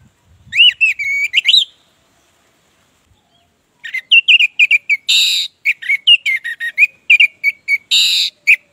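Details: Orange-headed thrush in full song, used as a lure to make silent birds sing: warbled whistled phrases, a long pause, then a rapid varied series of sharp notes mixed with harsh rasping bursts.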